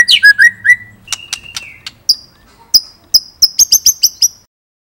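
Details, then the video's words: Murai batu, the white-rumped shama of Indonesia, in energetic rolling and shooting song: slurred whistles and a sustained whistled note, then sharp clicks and high piercing whistled notes repeated in a quickening series. "Masteran Murai Gacor !! Materi Komplit Ngerol Nembak | Shama Bird Song"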